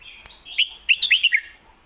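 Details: Red-whiskered bulbul kept caged in Thailand, heard in a Lak Wai versus Mae Bot song comparison. A short, sweet, rollicking phrase of about six rapid, fluty notes, gently falling at the end, follows a sharp tap.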